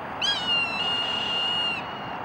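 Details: Hawk giving a single piercing cry: a drawn-out, steady, high whistled scream with rich overtones lasting about one and a half seconds, over a constant low background hum.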